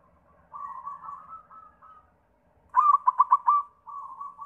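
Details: White zebra dove singing to lure others: a soft, wavering cooing lead-in, a pause, then a loud quick trill of about six pulses and a drawn-out softer coo. Quiet background.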